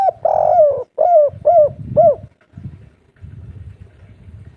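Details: A local "kuk 3" type spotted dove gives four soft, mellow coos in quick succession, each bending down in pitch, followed by quiet low rumbling.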